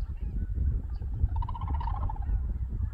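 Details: Wintering white-fronted geese in Cheorwon, Korea, flying out to the plain to feed in the morning; a quick run of repeated, descending, clipped calls in the middle, amid faint background calls and a strong low rumble.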